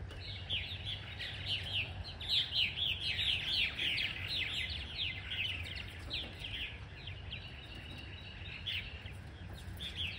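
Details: A flock of about 20 newly arrived purple martins chatters in rapid, gurgling chirps several times a second over a low steady rumble, in cool, somewhat cloudy weather.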